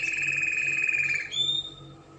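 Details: Spanish Timbrado canary holding a steady ringing trill for over a second, then jumping to a higher clear whistled note that fades out.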